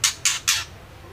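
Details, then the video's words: A female white-rumped shama gives three loud, raspy chack bursts about a quarter second apart; its voice is used to draw song from males. "Murai batu betina gacor ampuh untuk pancingan murai trotol & dewasa"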